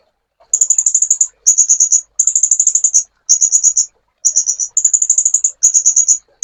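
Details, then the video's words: Sunbird song for training songbirds by master recording: repeated short bursts of very high, rapid stuttering notes, about one burst per second, with clean silence between and no other sounds. "MASTERAN BURUNG KOLIBRI"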